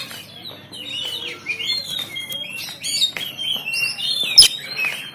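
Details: Caged oriental magpie-robin in Banten, recorded by Android phone, delivering a continuous jumble of high whistled slurs and chattering notes, with one sharp loud burst near the end.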